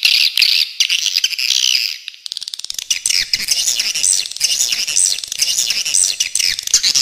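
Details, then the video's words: Original swiftlet calling: loud, rough buzzy chirps at first, then a softer, continuous high twittering from many birds, with rapid clicking throughout. "Suara Walet Original"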